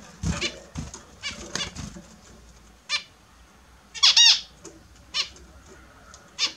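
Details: Australian zebra finches kept as pets splash in a morning bath, with soft scattered calls and clicks. One loud, upward-curving nasal call stands out at about four seconds, and brief knocking sounds punctuate the rest.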